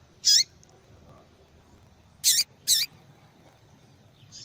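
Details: Calling female yellow-bellied seedeater, used to encourage males to sing; one sharp high chirp, then after a pause two quick chirps in succession, and a faint note at the end, over low hiss.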